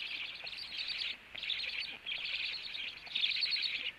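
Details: Black stork male home at the nest, feeding underway; four rasping, breathy high calls, each about a second long, separated by brief pauses.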